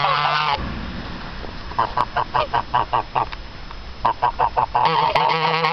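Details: Short, clipped honks from two geese come in a steady run of about ten, pause briefly, resume, then swell into a longer, drawn-out honking call.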